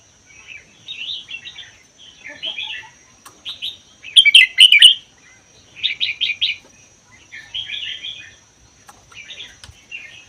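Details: Wild-caught red-whiskered bulbul from the Vietnam–Laos border forest, kept a year, giving a largely doubled song meant to trigger singing in other bulbuls. Lively chattering phrases repeat about twice a second, peaking in a loud burst midway, with other bulbuls replying softly.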